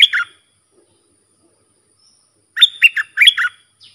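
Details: Sooty-headed Bulbul singing a song meant to teach young birds: a phrase ends at the start, silence follows, then a fresh bright phrase of warbled, bubbling whistles.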